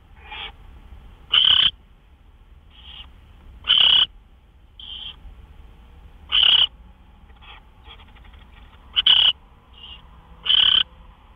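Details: Nesting owl after midnight on March 26, 2013, during gopher prey deliveries; loud, harsh rasping screeches repeat roughly every two to three seconds, five strong bursts with softer hisses in between.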